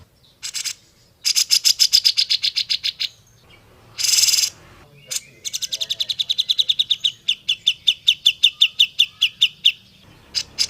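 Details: Grey-cheeked bulbul in a clear training recording for prompting other bulbuls to sing sooner: rapid trills of sharp, high notes, a harsh burst midway, then a long even run of clipped notes speeding up.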